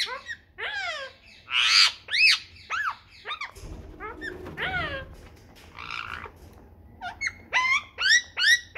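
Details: A talking rose-ringed (ringneck) parakeet makes quick kissing smacks and sharp rising-falling squeaks, about two a second, with brief pauses and a low background hum.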